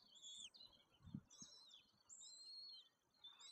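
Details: Two rapidly growing young white-tailed eagles at a nest in Woziwoda, Poland, on 9 May 2024, during feeding time by a parent, give thin, high whistled calls, several drawn-out and slightly falling, in quick succession; one soft low thump partway through.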